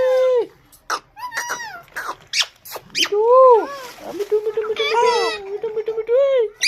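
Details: Pet parrot indoors giving a series of harmonic squawks and drawn-out, wavering calls, some rising and falling. Several short speech-like bursts come in between. It is a small room with no other clear background sounds.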